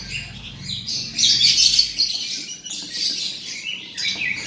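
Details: Male robin singing in bursts of high, dense chirping and scratchy twittering, loudest around the middle, then shorter trilled phrases with brief pauses between them.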